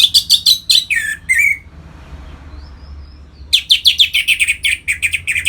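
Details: Orange-headed thrush (Geokichla citrina) song used to stimulate captive birds into breeding condition: loud, rapid phrases of sharp high notes and a slurred falling whistle, a pause, then another fast burst.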